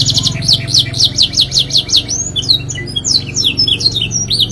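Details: Caged canary singing a long, lively song: a fast trill of sharp, repeated down-slurred whistles, about ten per second, then a jumble of varied high twitters and short notes, over a low steady indoor hum.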